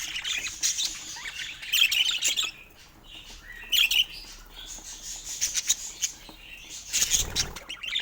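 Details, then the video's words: Pet budgies give rapid high chirps and warbling chatter in uneven bursts, a quieter stretch in the middle, then a brief low rumble of movement near the end. "Sweet Chirping Sounds"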